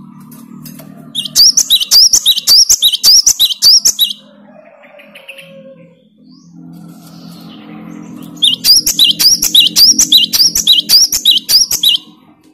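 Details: Great tit answering the song of a lure bird: high, bright two-note phrases repeated about twice a second in two bursts of roughly half a dozen each, separated by a quiet gap with a low steady hum.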